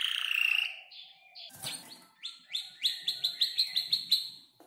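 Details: A canary about five months old, still learning to arrange its song, sings a high rolling trill, then bright chirped notes about four a second, rising into sharp whistles. Its song includes learned imitations of ciblek, klik-klik and prenjak lumut.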